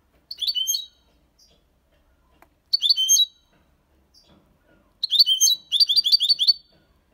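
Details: European goldfinch aged six months singing clean copia Málaga song with quejas and ornaments: three bursts of rapid, high, jangling twitters, the last longest, separated by short pauses.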